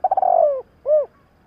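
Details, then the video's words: Decoy spotted dove in training, calling to stir up wild doves. A quick pulsed, stuttering coo drifting downward, then a brief silence and one smooth, rounded hooting note. "Cu gáy thúc gáy kích bổi tập mồi cực nhạy P107-2021| Tiếng chim cu gáy kích bổi nhanh nổi"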